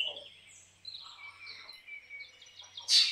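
Black drongo singing: a mix of high, slurred whistles and sharp chirps between about two and five kilohertz, ending in a harsh burst; faint low hum beneath.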